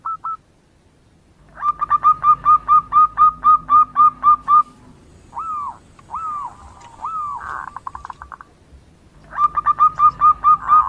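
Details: Female zebra dove calling to a male, used as a lure call: quick runs of short, soft cooing notes, about four a second, broken by a few longer, drawn-out slurred coos.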